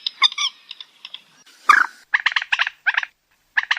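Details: Common moorhen (Gallinula chloropus) call, used for night trapping, with harsh, nasal clucks in quick bursts of three or four and a louder rasping croak partway through.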